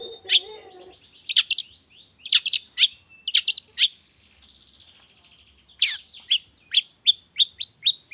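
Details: Sharp chirps in short groups with a faint thin trill in the middle, from a long-tailed shrike morning lure recording intended to make shrikes that have stopped singing join in.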